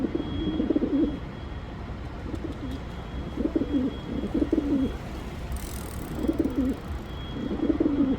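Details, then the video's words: A pigeon repeats its soft, guttural coo about six times, the rolling phrases coming in quick pairs and singles, over low droning background noise with a brief hiss midway. "Pigeon sound Effect"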